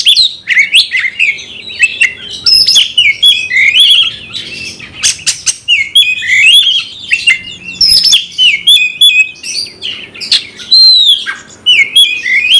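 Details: Oriental magpie-robin singing hard to trigger a fighting response: a long run of rich whistled phrases, quick chirps and scratchy notes, loud and nearly continuous with brief gaps.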